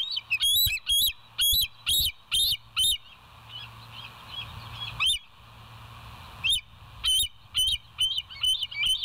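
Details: Morning calling from the West End bald eagles, 26 September 2023, on a live nest camera: quick high squeaky notes in a burst, a few scattered single notes, then another chattering series of thin, upturned whistles.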